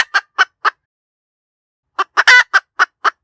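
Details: A hen gives three quick clucks, falls silent for over a second, then resumes with clucks building to one long, grating squawk and several more clipped notes.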